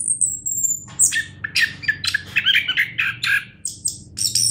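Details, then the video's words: Song of a champion orange-headed thrush: a long thin high whistle sliding slightly downward, then a jumble of varied chirps, squeaky notes and short trills, with low humming noise in the background. "anis kembang juara"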